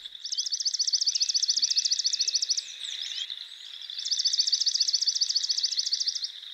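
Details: Swamp Sparrow song from eastern North America, a species often found in marshy areas or near water: a steady, even trill of rapid chipping notes on one pitch, given twice with a short pause between.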